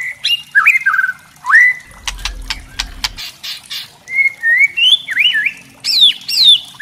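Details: Murai trotol, a white-rumped shama, in kretekan used to provoke rivals: twisting whistled phrases, a burst of dry crackling clicks midway, then bright rising and falling whistles climbing higher.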